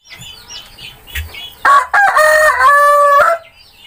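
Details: Village chicken (ayam kampung) rooster crowing: a single loud, harsh, harmonic-rich crow lasting almost two seconds, broken into stuttering segments and ending in a drawn-out tail, preceded by high chirps from small birds in the background.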